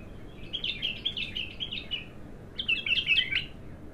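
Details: An untrained bulbul in early song utters a rolling warbled phrase of linked notes, falls quiet briefly, then returns with a louder, denser flourish.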